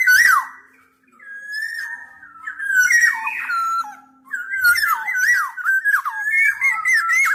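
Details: Black-naped oriole singing: a loud downslurred opening note, a pause, then long runs of mellow fluted whistles, sliding up and down in quick, jerky slurs. The phrases get busier toward the end.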